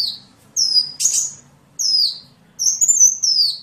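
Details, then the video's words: Sunbird used as a model for training songbirds, singing high downslurred whistles broken by one brief scratchy burst, then a quavering high phrase that slides down. "Masteran burung Kolibri"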